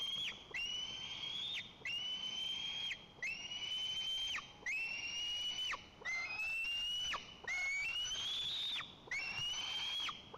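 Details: White-tailed eagle (Haliaeetus albicilla) at its nest in Nizhnyaya Kama National Park, Tatarstan, giving a run of long, high whistled calls, each slightly rising then dropping off, about seven in ten seconds.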